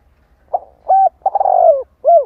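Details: Spotted dove calling as a lure to stimulate other doves, one full phrase: a soft short note, a flat hooting coo, a long vibrating descending coo, and a final rounded coo, loud and close against quiet low hum.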